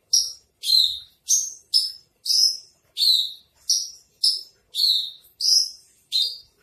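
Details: Spotted 'trotol' Javan bush lark tutor song: about eleven quick, high, slurred notes in a steady run, each dropping in pitch, at a pace of roughly two per second with no other sounds.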